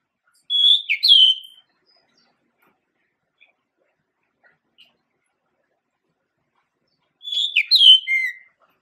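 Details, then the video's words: Male Pied Bushchat (Saxicola caprata) singing two short, quick warbled phrases of bright whistled notes, one near the start and one near the end, with near silence between them. "Kicau Merdu Suara Burung Decu Jantan"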